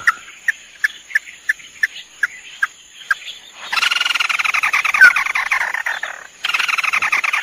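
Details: Red-eyed crake pair, male and female, recorded as a lure: evenly spaced single notes about every third of a second, then a loud dense rattling chatter that pauses briefly and returns.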